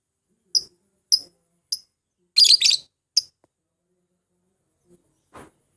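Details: Lovebird lure for calling rivals and encouraging song: a few short, thin high chirps about half a second apart, a harsher double burst in the middle, then quiet with a faint low tap.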